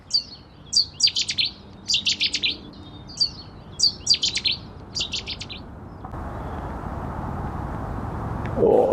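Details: A Cetti's warbler, a big brown long-tailed warbler of reed beds near waterways, gives loud, abrupt bursts of sharp chipping notes in short groups over about six seconds, fading into low wind, played over early-spring lakeside footage at Stanwick Lakes.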